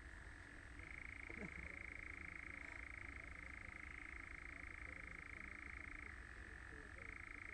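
A European nightjar churrs in a long, unbroken mechanical trill that drops slightly in pitch, then lifts again near the end, over a soft background hiss.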